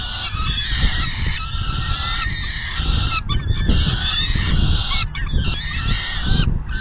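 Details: Peregrine falcon nest, June 10, 2022, about 4:08 PM, female feeding; steady hoarse, nasal calling continues with a few clipped notes near the middle and end, against heavy low-frequency rumble.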